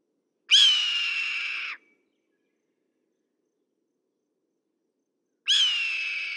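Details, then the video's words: Two harsh, raspy red-tailed hawk screams, each opening with a sharp high onset and then easing down in pitch over a bit more than a second, separated by a long quiet gap. "Red-tailed Hawk Calls and Sounds"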